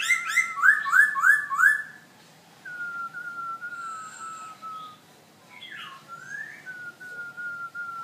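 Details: Black-throated laughingthrush, kept as a cage bird in Hanoi, Vietnam, singing: four quick, rich rising notes in a row, then long, level, clear whistles that slide slightly downward, with a twisting flourish near the end.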